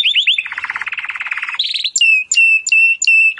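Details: Timbrado canary singing, training song for canaries: fast rolling trills that slow into a row of repeated clear whistled notes about three per second, loud and close.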